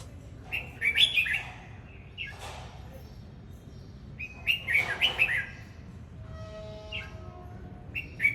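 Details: Singing, displaying red-whiskered bulbul giving loud rolling whistled phrases, several in quick succession, with a brief low tonal sound and faint rustles between phrases.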